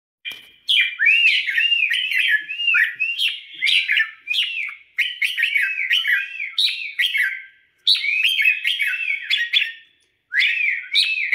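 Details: Red-whiskered bulbul, a caged bird trained for singing competitions and being prepared for an upcoming tournament, delivering bright warbled phrases of rising and falling whistled notes in rapid bursts with brief pauses between phrases.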